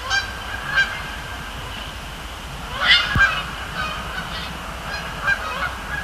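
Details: Canada geese flying over and landing on Sapsucker Woods Pond, Cornell Lab of Ornithology, on a Thursday night; many quick overlapping honks from several birds, with a loud burst near the middle, faint hum beneath.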